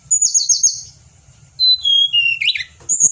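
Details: Pied bushchat singing vigorously, used as a tutor recording for cage birds in Indonesia: a run of buzzy, wavering high notes, then a pause and a series of clear whistles stepping downward, ending in a high squeak. A faint low hum sits beneath.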